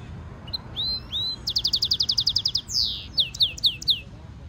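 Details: Hybrid European goldfinch mule performing stimulation song for training: soft rising whistles open into a fast, even series of sharp metallic notes, then a harsh downslurred burst and several clear descending whistled sweeps.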